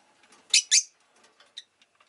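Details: Two loud, harsh chirps in quick succession from a rosy-faced lovebird, followed by a soft short peep against faint background noise.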